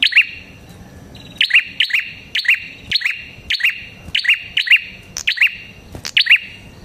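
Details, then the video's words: Prinia called red-headed prenjak locally, singing gacor-style to attract prinias: a fast run of about a dozen sharp two-note chirps, high then lower, pouring out in quick succession after a short pause. "Suara Burung Prenjak Kepala Merah Gacor"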